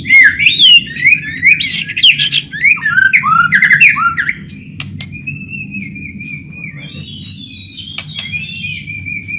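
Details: White-rumped shama song used to lure shamas to sing: a rapid series of looping whistled notes for about four seconds, followed by a long, thin, wavering whistle.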